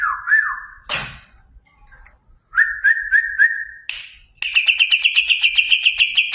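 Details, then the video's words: Greater green leafbird of competition class: wavering mid-pitched whistles, a sharp sweeping note, a steady whistled phrase with small flicks, then a fast, buzzy, pulsed high trill. "Cucak ijo kelas lomba"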